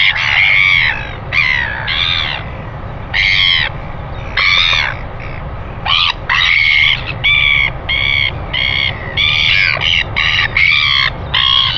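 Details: Northern royal albatross on a nest camera, 25 December 2019 at 5:57 a.m., giving greeting calls: a run of short, harsh, nasal bursts with clipped gaps, some doubled, over a steady low wind rumble.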